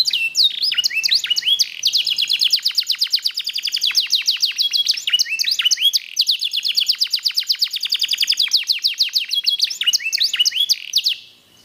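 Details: Black-red mosaic canary singing a long, continuous song of rapid, sharp trills and chattering rolls, high-pitched and dense, with brief rising whistled notes between fast repeated phrases; no other sounds stand out.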